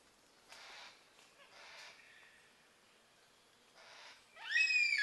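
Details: A couple of yellow-tailed black cockatoos in Mulgum Creek valley, Northern NSW, in October 2020, near their roost, one on lookout while others rip open rotten wood for grubs: soft breathy rasps, then a loud, harmonic, wailing call rising sharply.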